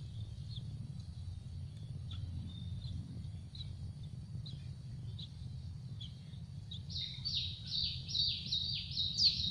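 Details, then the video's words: Yellow-vented bulbul nestlings begging for food in a tree nest: soft, spaced high peeps at first, then a loud rapid series of buzzy, downward-slurred calls near the end. "trucuk ngeloloh anak/Hungry baby birds of Yellow vented bulbul begging for food in a nest on a tree"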